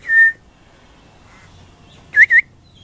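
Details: Baby pied butcherbird singing high: one level whistled note, a long pause, then two quick upward-curling whistles in close succession.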